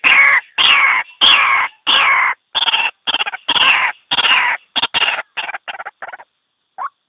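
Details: White-breasted waterhen single calling sound, used as a lure for trapping; harsh, loud, croaking notes in a quick series of about fourteen, slowing and fading toward the end, with one final short note after a pause; no other sounds.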